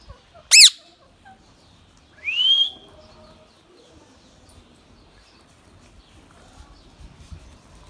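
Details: Baby ringneck parrot, kept as a pet, gives one sharp, harsh screech, then a rising whistled note about two seconds later; the rest is quiet with faint background noise.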